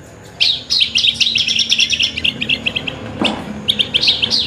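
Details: Horsfield's bush lark producing a fast series of high, clipped chirps, with a soft knock midway and a low background hum.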